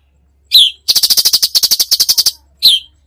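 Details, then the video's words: Sharp slurred chip, then a rapid rattle of about fifteen buzzy clicks from a cucak cungkok in full tembakan song, ending with another down-slurred chip. "masteran cucak cungkok gacor full tembakan"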